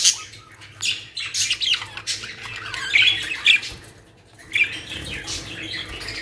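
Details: Budgerigars kept as a caged colony in Pakistan produce harsh, buzzy squawks and chirps in ragged clusters, dropping briefly quiet before a final sharp call.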